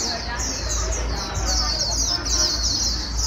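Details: White-eye caught from the wild, stimulated to warble fast: a short stretch of high, rapid chirping with sliding notes, over a low hum and the babble of people talking.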